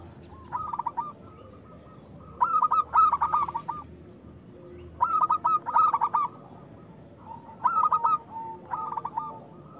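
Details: Loud local zebra dove used as a lure for doves that rarely sing, repeating a stuttering, rolling coo phrase about every three seconds, four phrases over a low steady hum.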